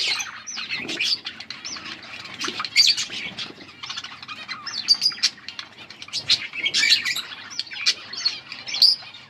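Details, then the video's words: Budgies chirping in a crowd, with scattered bright tweets, squeaky whistles and scratchy warbles coming in irregular bursts over a low background murmur. "Beautiful budgies colour budgies chirping sounds"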